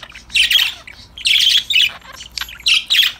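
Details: Playful pet parakeets calling in loud, grating squawk bursts, each about half a second long, in three main groups. Short chirps fill the pauses.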